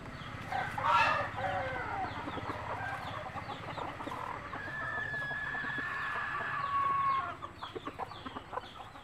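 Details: Native country chickens, a mother hen calling her chicks to food; a sharp cackle at the start, then a long, steady, drawn-out tonal call over dense fine clucking and clicking for about six seconds, ending in scattered clucks.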